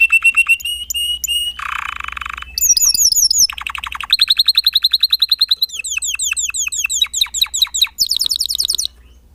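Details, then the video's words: Varied Spanish Timbrado canary song: clipped whistled notes, a coarse buzzy burst, then long runs of rapid descending chirps changing pitch from phrase to phrase, finishing with a very high fast trill. "Kicau Kenari Timbrado Espanyol"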